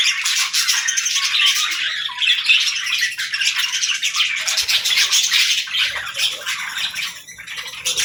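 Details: A pet parrot keeps up busy morning chatter, a dense run of rough, rapid squawks and scratchy notes, several a second, easing slightly toward the end.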